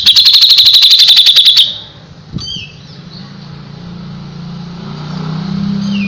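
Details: Grey-cheeked bulbul in full song: a loud, fast series of sharp, high chipping notes, about four a second, for over a second and a half, then quieter thin whistles over a low vehicle-like hum.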